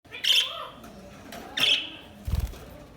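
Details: Budgerigar chirping indoors: two bright, short chirps near the start and middle, with a low thump toward the end and a faint steady hum underneath.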